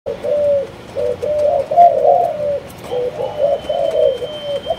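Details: Spotted dove of Malaysian lines, kept by a hobbyist, coos in low, soft phrases of short hooted notes that run together and then pause, with a faint thin tone in the background.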